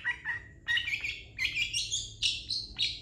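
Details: Long-tailed shrike giving a master song to teach other birds: lower harsh notes at first, then rising, higher buzzy phrases spaced about every third of a second.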